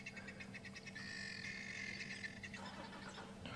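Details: Guineafowl at an African waterhole at sunset on a May 8 evening safari drive give harsh, rhythmic cackling calls in quick repeated bursts over a steady low engine hum.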